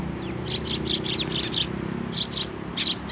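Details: Several sparrows come to a feeding post at a Tenmangu shrine, 25 April 2024. They give quick bright chirps in tight runs of three or four, a brief pause, then more paired chirps, over a low droning hum.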